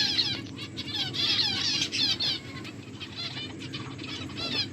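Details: Several finches chirp as they eat, giving a dense, almost continuous stream of bright, rapid, high twitters that rise and fall in short phrases over a low steady hum.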